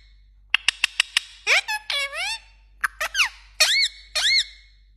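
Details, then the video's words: Indoor pet parrot imitating phone tones: a quiet start, then four sharp clicks, sweeping whistled glides, a short gap, and clipped notes leading into sustained, steady tone-like whistles. "parrot so Cute New phashto Talking video"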